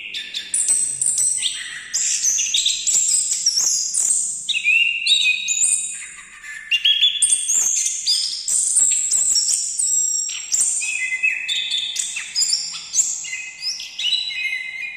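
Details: Continuous, fast-changing song of an orange-headed thrush: dense, jumbled whistles and trills at high pitch, phrases tumbling together, with a brief softer gap about halfway through.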